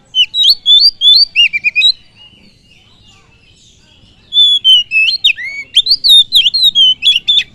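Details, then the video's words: Kacer song meant to provoke rival birds: two energetic phrases of varied, rapid whistles and twittering notes, separated by a pause of about two seconds, each note sharply slurred up or down. "Pancingan kacer full durasi"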